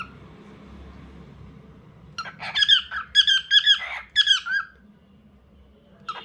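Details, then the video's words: After two seconds of quiet indoor hum, a bird bursts into squeaky, wavering whistles, about eight short notes in an irregular run, then goes silent before one last brief squeak. "Starts for making sounds lovely Bird"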